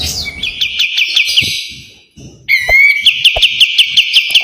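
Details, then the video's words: Sharp, spicy 'besetan' song of a white-eye, meant as a training master: a quick series of ringing repeated notes, then a short pause, a rising whistle, and another tight string of rapid chips. "SUARA KAPAS TEMBAK TAJAM DAN PEDAS‼️ SPESIALIS BESETAN RAPET PALING COCOK MASTERAN"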